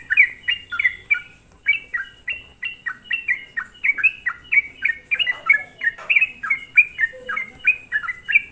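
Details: Sooty-headed bulbul song used as a lure to provoke other bulbuls: a lively run of short bubbly notes, each dropping from high to low, delivered in quick succession about every third of a second.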